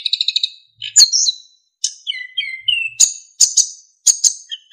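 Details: Narcissus flycatcher song for training other songbirds, full of fill-in phrases and clear flute-like whistles: a rapid buzzy trill, slurred falling whistles, then sharp ringing high notes repeated in pairs.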